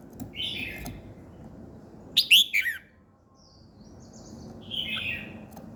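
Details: In the morning a bird gives a few scattered high chirps, one louder cluster of quick falling notes, then a softer buzzy phrase, against steady low background noise.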